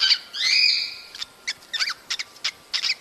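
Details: Cockatiel sounds intended to encourage breeding: a long, rising, slightly buzzy whistle, followed by a quick series of sharp chirps.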